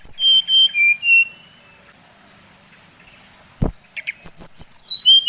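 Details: Brown-chested jungle flycatcher from Bali singing a lure song meant to stir other males into agitation. It gives clear whistled notes, steady then gently falling, a pause and a sharp click, then a rapid run of descending high whistles.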